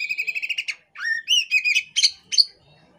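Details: Oriental magpie-robin female in breeding condition, tail spread: a quick series of repeated clear whistled notes, then a short pause and varied slurred rising and falling whistles with sharp high accents.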